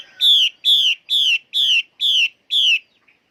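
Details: Female Chinese hwamei singing: six loud, identical whistled notes, each slightly falling and rich in overtones, repeated about twice a second with even gaps, on a clean, quiet background.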